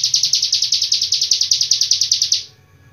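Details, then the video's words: Hill prinia long-breath tutor song from Cililin: a fast, high, pulsed trill for about two and a half seconds, then it fades away into quiet. "ciblek gunung isian cililin nafas panjang"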